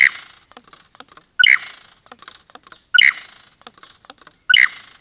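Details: A male superb lyrebird, mating with a female on a rural property, gives loud, harsh, rising squawks about every one and a half seconds, with soft ticking clicks between them. These are the male's own natural sounds.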